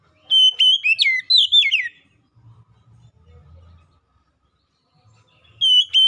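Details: An Oriental magpie-robin, used as a lure call, sings a rich burst of loud, clear whistles, slurred up and down, then pauses before starting again; a faint low hum underneath.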